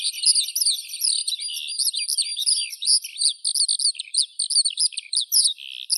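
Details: Eurasian skylark singing a continuous, rapid stream of high chirps, trills and short whistles, tumbling without pause; no other sounds.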